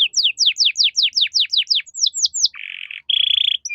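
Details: Canary singing as a training recording for caged songbirds: a series of about ten quick descending whistled sweeps, then buzzy rattling trills and a short bright rolled note.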